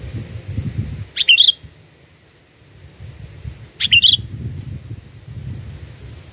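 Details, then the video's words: Sooty-headed bulbul singing, a lure recording for bird catching: two short bubbly whistled phrases about two and a half seconds apart, each a quick rise-and-fall chirp, over low background rumble. "Pikat Burung Kutilang ISTIMEWA"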